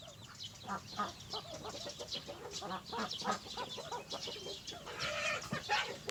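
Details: Morning chicken flock clucking: low, rounded clucks repeated rapidly and unevenly by several birds at once, with higher scratchy calls rising toward the end.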